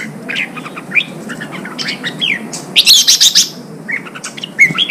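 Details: Kept red-whiskered bulbul in Vietnam, sound used to provoke fighting and train a bird to sing out: scattered chirps, a falling slurred whistle, then a dense, loud cluster of sharp high notes near the middle and a final bright phrase.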